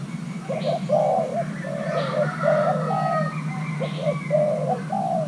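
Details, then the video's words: Young male Thai-hybrid spotted dove courting during pairing, delivering a continuous run of rolling, hollow coos, some notes clipped short, others drawn out, over background birdsong and a steady low hum. "Kích xem nước chơi của gáy thái lai trống tơ đang ghép đôi"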